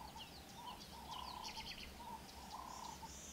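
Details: A white-throated bee-eater, a rarity in southern Africa, near Shingwedzi Rest Camp in Kruger National Park, gives short, high, rolling chirps in loose bursts over a low, steady hum and background rumble.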